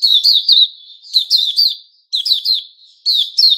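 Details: Puteh Raja white-rumped shama, 29 August 2021, singing dense runs of high, slurred chirps that trail into soft sustained notes, four bursts in quick succession.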